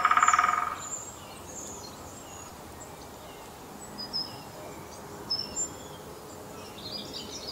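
A greylag goose gives one loud, nasal, harsh honk at the start. Faint high chirps of small birds and quiet background noise follow.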